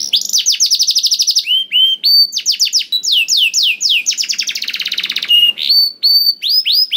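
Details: Caged canary's song for stimulating other canaries to sing; rapid rattling trills alternate with looping whistled slurs and a buzzy roll, a continuous, varied outpouring.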